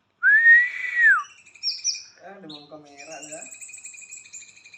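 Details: White-rumped shama giving a loud, clear arched whistle, followed by softer high notes and a quieter chattering, buzzy passage.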